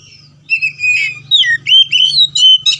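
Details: Oriental magpie-robin in full, loud song: a fast run of varied clear whistles, slurred and rising or falling notes, with short bright phrases following one another without pause over a steady low hum.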